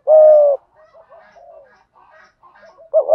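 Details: Lure spotted dove cooing in thúc gù style: one long flat low coo opens, then soft faint murmurs, and another coo begins at the end.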